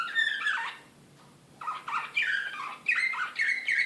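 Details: Excited Serbian slavujar-style canary singing in Belgrade in 2016: a fluty falling phrase, a second-long pause, then rapid trilled tours of downslurred syllables repeating several times a second, in a quiet indoor room.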